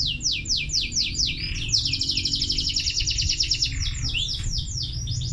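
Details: Canary song opening with quick falling whistled sweeps that accelerate into a long rapid rolling trill, followed by more descending notes; constant low hum underneath.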